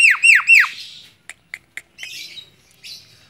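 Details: Tame Javan myna on a hand giving three loud, harsh, down-swept squawks in quick succession, followed by three short ticks and softer rasping notes.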